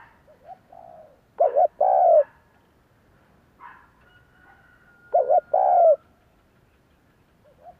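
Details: Lure cooing of a spotted dove to prompt replies from others: two loud phrases about four seconds apart, each a quick two-part note then a longer falling coo, with quieter soft notes between.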